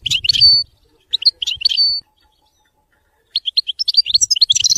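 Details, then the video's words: European goldfinch singing in the Widani style: two bursts of quick, bright twittering notes with short whistled slurs, the first lasting about two seconds, then a pause and a faster jingling run. "تغريد ويداني لطائر الحسون"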